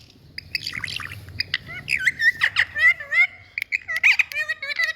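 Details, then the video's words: Indian pet parrot talking, with a fast run of squawks and chirps and bright whistled slurs, several notes each second, growing louder toward the end. "Parrot Beauty🥀Bird Indian🤍Tutu Love Talk"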